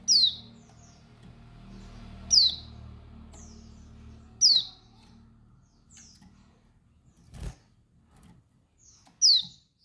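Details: Calling female Dakun Bali white-eye, used to rouse male aggression and breeding drive: sharp, high, downslurred chirps repeated roughly every two seconds, five in all, with a brief click between them over a steady low hum.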